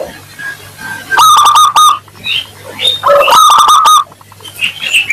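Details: Lure recording of a lively local Zebra dove with a 'crystal' voice, meant to make other doves reply fast: two loud bursts of quick pulsed coos separated by quieter high chirping, over a constant low hum.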